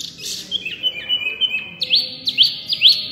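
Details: Mini white-eye in loud, full song, a quick chain of high twittering notes ending in three bright, sharply rising whistles.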